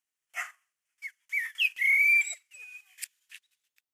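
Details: Common blackbird singing in a garden in March 2020, recorded on a compact camera: a short phrase of clear, fluted whistles with slides and a sustained level note, followed by a few thinner squeaky twitters and pauses.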